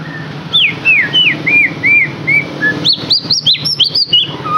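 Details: White-rumped shama song for stimulating captive birds: falling whistled notes at a steady pace, followed by a quicker run of high, upswept whistles over a low hum.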